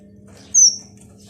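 A finch chick gives one thin, high, slightly falling note over a low, steady hum.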